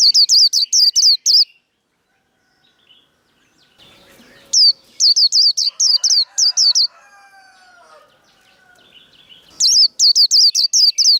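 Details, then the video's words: Líu đấu fighting song from a Japanese white-eye kept as a cage bird, for stirring rivals: three bursts of six to seven piercing downslurred notes, separated by quiet gaps with faint scratchy background sounds. "Vành khuyên líu đấu. Kích lửa vành khuyên líu đấu"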